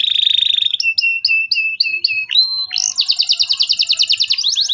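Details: Local canary singing energetically as a lure for young learners: a steady buzzy trill, a series of quick two-part chirps repeated about every quarter second, then a long, loud, fast high trill.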